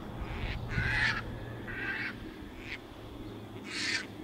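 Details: North American Caspian Terns resting on a northern USA beach during spring migration, one bringing a fish to a potential mate; three loud, harsh, raspy calls spaced about a second or more apart over steady low surf-like rumble.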